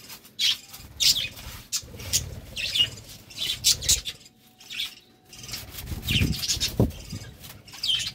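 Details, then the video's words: Budgerigars courting, with rasping, scratchy chatter in irregular bursts separated by pauses, plus low rustles and a faint steady hum. "Love time for budgies"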